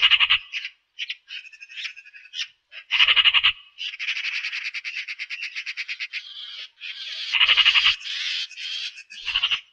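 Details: Eurasian magpie producing choppy scratchy notes, then a loud harsh burst and a sustained three-second rattle of rapid dry pulses, ending with further grating chatter; recording is otherwise silent.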